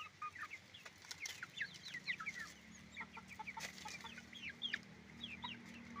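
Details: Roosters and hens on a chicken farm produce a constant scatter of high, upward-flicking chirps from many birds, with a low mechanical drone running underneath.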